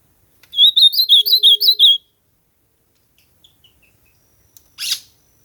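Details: Ultramarine grosbeak (azulão) singing in nature: a loud, clear warbled phrase of about eight quick whistled notes rising and falling, lasting under two seconds, then near silence with a few faint distant chirps and a brief rustle.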